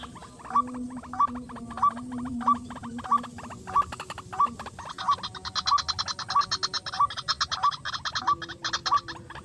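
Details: Rice-field lure for white-breasted waterhen: clipped upward-flicked notes repeated regularly at roughly two-thirds of a second, later joined by a fast high rattling chatter and a steady low drone.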